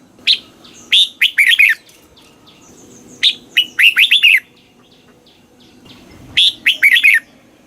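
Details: Red-whiskered bulbul from Thailand giving southern master-style song to stimulate caged birds: three phrases, each a sharp lead note then a quick cascade of bright warbling whistles, about three seconds apart.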